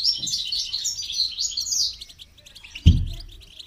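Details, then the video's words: A goldfinch being trained to sing with motivational rewards pours out a fast, bright twittering of high tinkling notes, then slows into sparser repeated chirps. A single dull knock sounds near the end. "training goldfinch to song"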